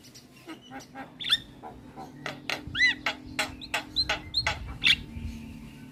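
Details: Jalak kebo (Javan myna) lure used to make a silent bird respond: a quick sequence of clicks and harsh notes with inserted hooked whistles and squeaks, over a faint steady hum.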